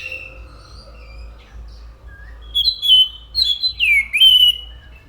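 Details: Orange-headed thrush singing soft whistles at first, then louder varied phrases with downward slurs and a rising whistle near the end.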